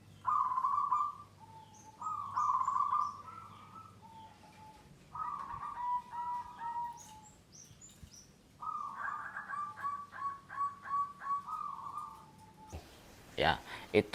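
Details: A wild-origin zebra dove shows its beginner 'rajin bunyi' stage: four bouts of soft, rolling cooing phrases on a steady mid pitch, each one to four seconds, then a sharp clattering noise.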